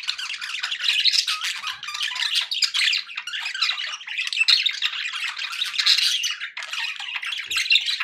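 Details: Budgerigars in good spirits, chattering indoors: a steady flow of raspy, warbled notes and sharp chirps, several birds seeming to overlap in constant high chatter.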